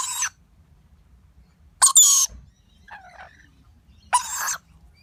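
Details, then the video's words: Feeding lorikeet chick with its parents, giving harsh, buzzy squawks about two seconds apart, broken by a soft warbling chatter. "Baby bird lorikeet feeding"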